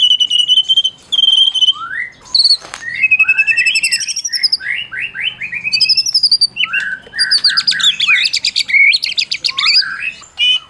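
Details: Caged white-rumped shama of the Medan type, a prize-winning bird, in varied loud song: sustained whistles near the start, then rapid rising and falling whistled notes and dense chattering phrases, used to provoke silent shamas into singing.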